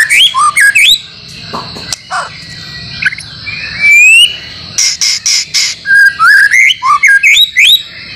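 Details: White-rumped shama master song track for training caged birds, with fill-in phrases from other birds. Loud, varied whistled phrases, rising and falling slurs and sharp chirps come in short bursts separated by brief pauses, over a steady high hiss.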